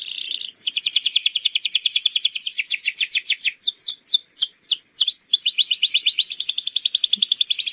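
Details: Canary lure song meant to prompt young birds to sing: a short whistled note, then a long fast rattling trill that shifts into a run of sweeping downslurred notes and returns to a dense, steady trill.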